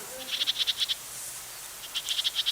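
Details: A northern house wren gives its call, a lower-pitched churring: two harsh, rapid bursts, each of about seven buzzy pulses in under a second, separated by a short pause. A crow can be heard in the recording too.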